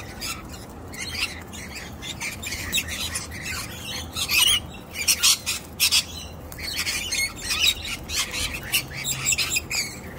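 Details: Wild young sulphur-crested cockatoo, unimpressed by a hidden-nut trick, utters rasping, clipped squawks in uneven clusters, louder toward the middle, with soft outdoor ambience.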